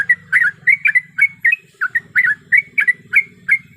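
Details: Breeding-condition female yellow-vented bulbul calling a male, a lure recording: paired and single liquid chirps, some doubled, repeated about three times a second over steady low background rumble.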